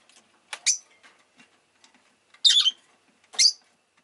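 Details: Rosy-faced lovebird giving a sharp chirp, then a raspy longer call and a final shrill note, with faint soft background sounds.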